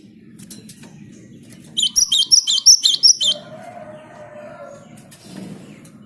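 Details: A Java sparrow sings to set other birds singing: an even series of bright, high chips lasting about a second and a half, then a long, low, steady tone and quiet background noise.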